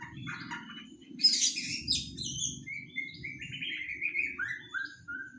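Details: White-rumped shama juvenile, three months old, practising song: harsh noisy bursts followed by a descending series of short clear whistled notes, low hum in the background.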